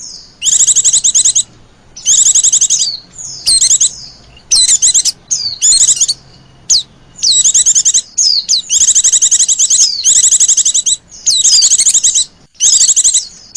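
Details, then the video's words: Lure recording of white-eyes meant to attract wild ones. Dense, high, twittering chirp bursts repeat almost continuously, mixed with quick downward whistles, and the gaps between bursts are short. "SUARA PIKAT BURUNG PLECI JITU DAN AMPUH MEMANGGIL PLECI LIAR"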